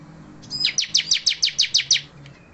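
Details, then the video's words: Bar-winged prinia singing persistently even though it has lost its tail feathers: a loud, even series of about eight sharp, high, downward-slurred chip notes, evenly spaced, with faint low hum beneath. "Ciblek Gacor - Tetap gacor ngotot walau bondol"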